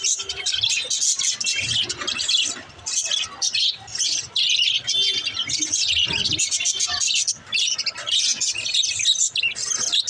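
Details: Budgerigars chirping, played to encourage lonely pet budgies to chirp; dense continuous high warbling and chattering with rapid chirps and squeaky notes, several birds overlapping.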